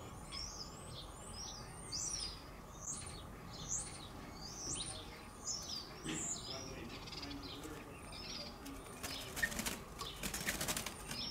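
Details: Eurasian blackbird at an early-season nest where two surviving young are fledging. A series of short, high chirps with quick downward sweeps repeats about every half second. A final burst of broadband rustling follows.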